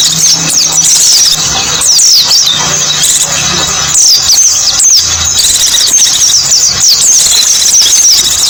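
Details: White-eye song meant to attract small birds: rapid, high, busy twittering from several birds overlapping without pause, with intermittent low humming underneath.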